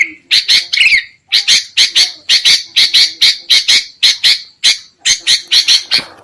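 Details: Sooty-headed bulbul calls from a noisy lure recording used for trapping: a rapid series of harsh, buzzy squawks, about one per second with brief bursts closer together, each note short and raspy with a pause near the start.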